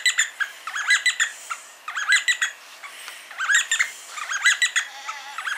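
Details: D'Arnaud's barbet near Lake Baringo, Kenya, duetting: rapid bursts of bright, rattling, repeated notes in clustered phrases with short pauses between, clear against a quiet background.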